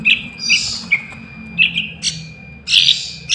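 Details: Young sooty-headed bulbul, a recording used as a lure for catching wild birds, giving short bright chirps mixed with hoarse, hissing bursts at irregular intervals, over a steady high-pitched whine.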